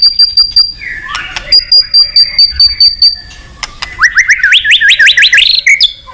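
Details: Indonesian male white-rumped shama singing to stimulate other birds: scattered clicks and a thin high tone, then a quick ascending series of sharp rising whistled notes.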